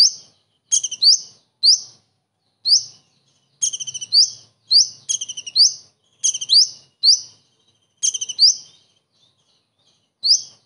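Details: Common iora in song, borrowing kingfisher phrases: loud, high, upward-flicking notes mixed with quick rattled chip series, delivered in bursts with brief gaps.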